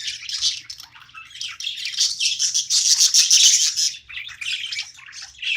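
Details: Budgerigar chirping while it plays: fast, irregular scratchy warble, about three notes a second, loudest in the middle, with a low hum in the background.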